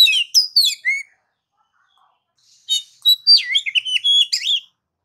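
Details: Oriental magpie-robin singing a busy medley of sharp chirps and sliding whistles in two bursts, the second longer and more varied.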